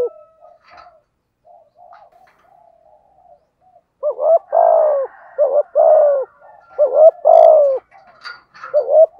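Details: 'Giọng thổ' spotted dove decoy call for luring wild doves: soft scattered low notes at first, then a rapid run of loud hoarse coos, several phrases in quick succession.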